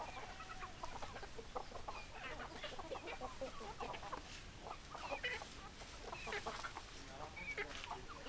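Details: Several hens clucking continuously, short overlapping clucks and a few higher squawks over constant broadband background noise.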